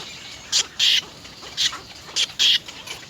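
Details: Little egret chicks, three in the nest, beg their mother for food by biting her; short scratchy rasping bursts arrive in loose pairs, five or six in all, with quiet gaps between.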